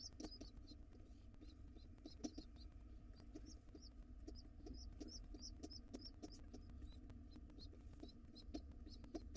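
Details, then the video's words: Wild pigeon nestlings hungrily begging to be fed by their returning father, sharp high squeaky notes repeated in irregular bursts over a constant low hum and faint tapping. "Pigeon nestlings are hungry!!!!! Dad comes home and the babies want to be fed fast."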